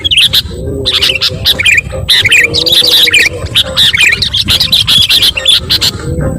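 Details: Excited sooty-headed bulbul calls meant to stir up other birds: continuous bubbly, chattering notes in overlapping bursts, peppered with hard clicking sounds and a low rumble beneath.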